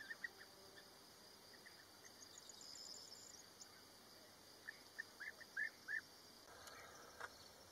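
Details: Bee-eater colony at Rusenski Lom in early May, birds courting, nesting and competing for wall positions; scattered rolling notes, then a louder cluster of four or five calls near the end, over quiet background.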